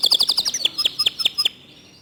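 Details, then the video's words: Short burst of local canary song in a fast, dense style: a very rapid run of bright high chirps, then five clear evenly spaced downward notes, ending in quiet. "Kicau Kenari Lokal Tembakan speed rapat Suara Jernih"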